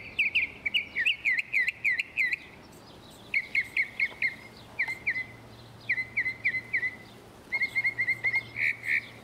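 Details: Northern mockingbird singing in Texas: bursts of sharp, chevron-shaped notes delivered in rapid series, each phrase type repeated several times before switching to a new one, with a faint low hum underneath.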